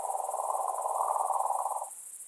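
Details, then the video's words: Night-time churr of a European nightjar during breeding, by a nest holding eggs and chicks: a continuous low, rapidly pulsed mechanical trill lasting about two seconds before stopping, over a constant high-pitched insect drone. "European nightjar. Birds during breeding season. Bird sounds and nest with eggs and chicks."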